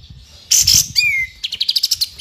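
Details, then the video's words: White-rumped shama singing a song with full filler phrases: a loud burst of high notes, then a clear descending whistled slur, then a rapid series of about ten sharp high chips. "MURAI BATU FULL ISIAN"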